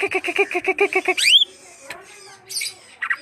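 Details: Greater green leafbird uttering a row of evenly spaced nasal squawky notes, then a sharp upward-arching whistle and a few faint chirps.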